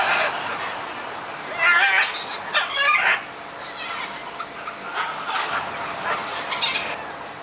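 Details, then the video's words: Scarlet macaws exchanging views, giving harsh, raspy squawks: quieter grating calls at first, then loud bursts around the middle and shorter rough calls trailing off toward the end. "Ara arakanga - výměna názorů"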